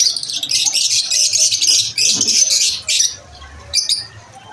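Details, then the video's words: Shrill lovebird chatter at lunch time, two loud bursts of rapid squeaky chirps separated by a brief dip, then quieter isolated notes. "Lovebirds chirping sound"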